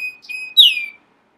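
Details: Short song fragment from a domestic Belgian canary: a thin steady whistle, a brief rising note, then a louder downward-sweeping whistled phrase, all within one second, with clean silence after.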